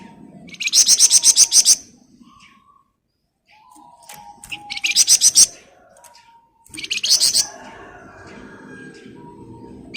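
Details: Scarlet minivet singing actively in the ngebren rapat style: three loud bursts of rapid, shrill, buzzy pulses, about eight notes each, separated by quiet pauses with faint low whistles between.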